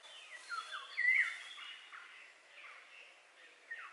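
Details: Eurasian golden oriole giving a clear whistled note amid a jumble of softer warbled sounds, with several quieter bird voices and steady outdoor hiss.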